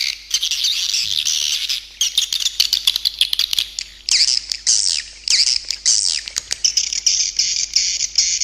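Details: Stereo swiftlet calling sound including tested roosting calls: steady high chattering, with clear squeaky downslurred chirps repeating later and a continuous shrill twitter at the close.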